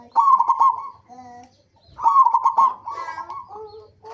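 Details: Local zebra dove used as a lure for other zebra doves: two trilled coo bursts of pulsed notes, with softer, lower whistled tones overlapping between and after them.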